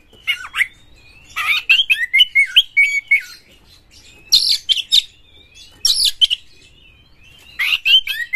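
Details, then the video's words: White-rumped shama (kacer) delivering rough full-material song used to stir other shamas into singing: repeated bursts of harsh chatter and looping whistles, separated by short gaps, over about eight seconds. "pancingan KACER Gacor buat Master KACER Buka Ekor KONSLET bongkar FULL MATERI KASAR agar Kacer Gacor"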